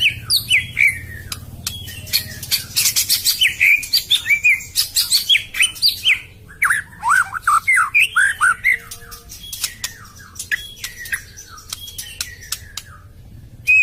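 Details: White-rumped shama song played to coax a silent, moulted caged bird: long varied sequence of slurred whistles, chattering bursts and clicks, rising and falling in pitch.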